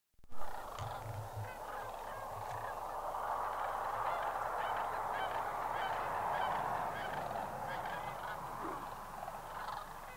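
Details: Lesser sandhill cranes at Bosque del Apache in 2009. A dense chorus of many rolling, trumpeting calls blends into a continuous loud clamor of overlapping voices.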